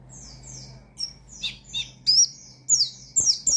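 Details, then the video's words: Oriental white-eye in challenging song used to provoke rival and untrained white-eyes: scattered thin high whistles that give way to louder, quick downslurred chirps in short bursts toward the end. A faint low hum sits underneath. "Burung Pleci Gacor Ngalas Nembak Mangil Lawan,Memicu Emosi Pleci Bahan"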